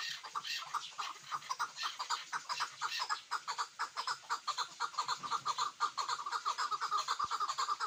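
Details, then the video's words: Chukar partridge, locally called a hunting partridge, giving a run of clucking chuk notes repeated about twice a second, steady and insistent, with no other clear sounds. "Кабки шикори"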